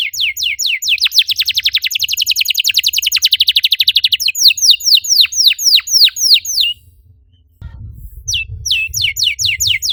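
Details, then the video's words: Canary in full song, used to trigger singing in other canaries: a very rapid dense trill of descending notes slowing into separate sweeping whistles, a pause, then the phrases resume. "PANCINGAN EFEKTIF BURUNG KENARI, CORR DORRR!!"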